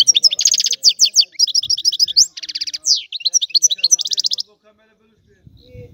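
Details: European goldfinch pouring out a rapid, high-pitched run of chattering trills and liquid twitters for about four seconds, then falling silent with only faint low rustling at the end.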